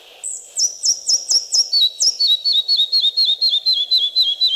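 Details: Red-breasted Flycatcher in forest, Wielkopolska National Park, Poland: high thin introductory notes, then a clear series of about ten repeated two-part whistled notes, stepping downward in pitch and slowing slightly toward the end.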